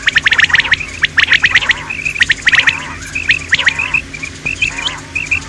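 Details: Common quail (batair) kirak call: rapid series of harsh, clicking, crackling notes in bunches, followed by short, thin, chirpy notes repeated at a steady pace.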